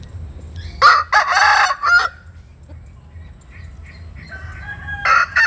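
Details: Dawn crowing from a chicken in the morning sun: one rough, broken crow of about a second, then faint distant calls and a short louder burst at the end.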